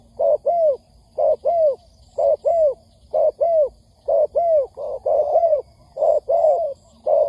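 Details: Spotted dove calling on a trapping lure track: rhythmic two-part coos about once per second, the second note longer and dropping in pitch, with a few overlapping coos midway.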